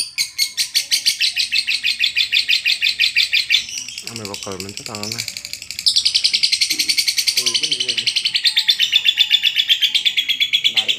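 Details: Long 'ngekek panjang' chatter from a lovebird, played to coax reluctant birds into singing. Rapid buzzy notes run on without pause. Human voices break in briefly around the middle before the chatter returns louder.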